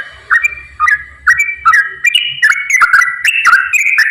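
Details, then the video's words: Straw-headed bulbul song in the lively 'ropel' style, used to lure quiet bulbuls into singing: spaced single whistled notes at first, then quickening into a dense run of liquid warbling phrases, low hum underneath. "KICAU TRUCUKAN GACOR ROPEL SANGAT AMPUH UNTUK PANCINGAN TRUCUK MALAS BUNYI"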